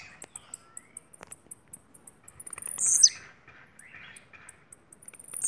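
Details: Kept blue-black grassquit of Bahia origin gives one loud high buzzy burst near the middle, preceded by a run of tiny evenly spaced high ticks and faint lower chirps in the background.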